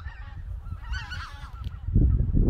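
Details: White-fronted geese flying at dawn in winter from their roosting reservoir in Cheorwon, central Korean peninsula, toward the plain to feed; a burst of harsh honking calls from the flock over a heavy low rumble of wind and wingbeats.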